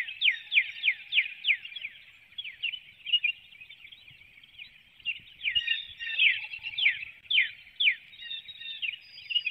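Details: Leaving her nest and nestlings before dawn on 12 April 2019, a female bald eagle calls while flying through a woodlot in Hanover, Pennsylvania; webcam audio of rhythmic, high, falling chirps in bursts, with a quieter twittering stretch between.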